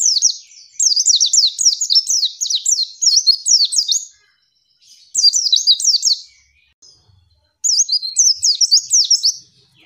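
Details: A female white-eye pours out rapid, high, thin twittering in three bursts of a few seconds each, with brief silences between. The call provokes males into answering, as in the wild.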